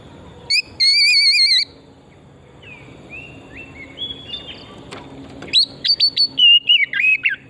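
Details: Oriental magpie-robin song used as a lure: a loud wavering trilled whistle, quiet sliding notes, then a string of sharp chirps and a descending warble over steady background noise.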